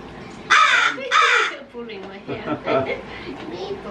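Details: Pet crow, vocal in the evening on March 26, gives two loud, harsh, hoarse caws about half a second apart, followed by a man talking indoors.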